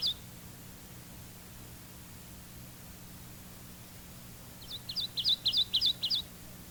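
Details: Kentucky warbler (Geothlypis formosa) song: a quick run of about seven rolling two-part musical whistles, chiree-chiree, roughly three a second, with a lively bounce and growing louder, over a faint low hum.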